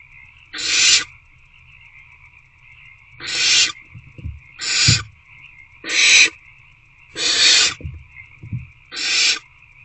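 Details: Six rasping, half-second hissing begging calls at irregular intervals from hungry owlets struggling to eat a rodent in a nest box on a February night, with soft low thuds of movement between calls and steady hum.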